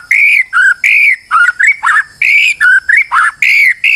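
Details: Stressed white-rumped shama used as a lure to make other shamas sing: loud, rich whistled phrases of varied pitch, delivered in quick bursts with short gaps, some notes slurred and warbling.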